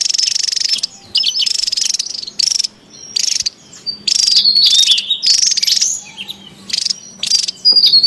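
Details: Javan tesia noisy in the wild, recorded as a lure and master sound: long stretches of dense, very high buzzy pulsing with thin falling whistles, broken by brief silent gaps.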